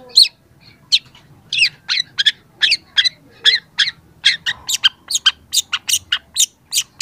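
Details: Young long-tailed shrike in full song, intended to prompt lazy shrikes to sing: a long accelerating series of short scratchy and chipping notes, becoming faster and denser toward the end, over a quiet background.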